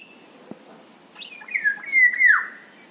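Indian golden oriole giving a short run of liquid, fluty whistles that slur up and then down over about a second, against a quiet background.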